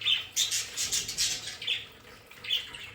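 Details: Pet budgerigars kept in a home play area squawk loudly in quick, harsh, bright bursts, close together over a few seconds.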